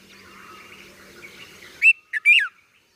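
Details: Young red-vented bulbul calling: after a stretch of low background murmur, three loud, clear chirps that bend up and down in quick succession.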